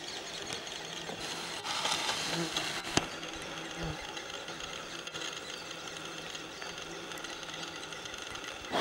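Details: Great spotted woodpecker nestlings being fed by both parents keep up a steady, buzzy, rasping chatter, a dense mechanical-sounding chorus that swells briefly, with a sharp knock partway through.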